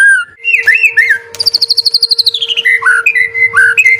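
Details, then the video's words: White-rumped shama song used as a lure to get stressed or reluctant birds singing: rich whistled phrases, then a fast rapid trill of about twelve even notes, ending in sliding whistles, over a steady low electrical hum. "Suara Burung Murai Batu | Pancingan Atasi Stres Malas Bunyi Cepat Respon"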